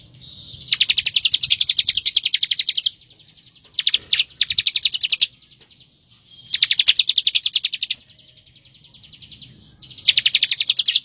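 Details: Bar-winged prinia in dense ngebren song, used to teach white-rumped shamas: long runs of fast, sharp, high chirps lasting about two seconds each, separated by brief pauses.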